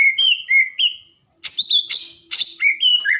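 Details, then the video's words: White-rumped shama of the blorok variety pouring out song to agitate other birds: pure whistled notes, a brief pause, then harsher rattling bursts mixed with falling whistles. "Murai Batu Blorok Gacor, Buat Burung Emosi"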